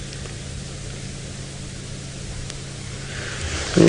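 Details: Steady engine hum and broad hiss from a vehicle on an early-morning safari drive, rising slightly at the end, with no animal calls.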